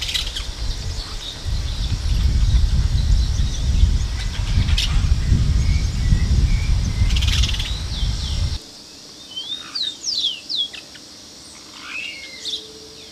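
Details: Plain parakeet (Brotogeris tirica) recorded on 2 December 2012: thin high chirps under heavy rumbling wind noise at first, then clearer sharp, upswept squeaky calls in quick clusters once the noise drops.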